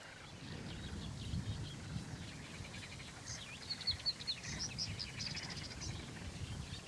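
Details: Paddyfield warbler singing in Romania on 27 May 2015: after a quiet start, a fast, dense, scratchy chattering phrase of rapid repeated notes runs through the second half, over a steady low rumble.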